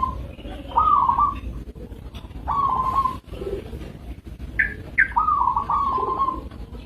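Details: Repeated rolling coos from a local zebra dove, slightly rising then level, delivered in bursts with brief gaps and a few sharp higher notes from another bird.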